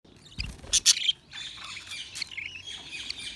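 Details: Budgerigars chirping: a couple of sharp, high, squeaky chirps near the start, then softer warbling chatter with scattered high notes.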